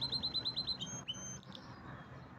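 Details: Canary giving a short burst of song: a quick series of repeated trilled notes, then a few thin high whistles, with a soft background hum.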